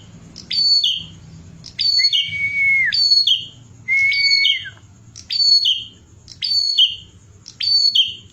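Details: Bar-winged prinia, a masteran recording for training songbirds: loud, sharp whistled phrases repeated about once a second, each a high descending chirp followed by a clipped note, some with a long flat whistle that drops at the end.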